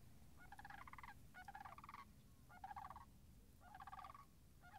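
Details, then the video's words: Sandhill cranes calling at a wetland edge, marsh puddles frozen, 26 March 2019: loud, rolling, guttural rattles repeated about once a second, each harmonic-rich burst lasting under a second. "Wetland Marsh Audio - Sandhill Cranes - Short"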